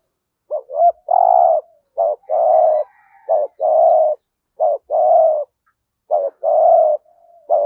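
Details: Spotted dove lure bird giving the full cooing routine used to draw in wild doves: low, hollow coos in repeated sets of a short note then a longer held coo, about every 1.2 seconds, on a quiet background.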